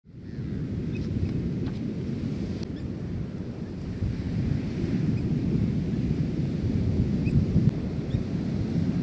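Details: Steady roar of wind and surf on an open shore, loud and low, with no animal voice heard.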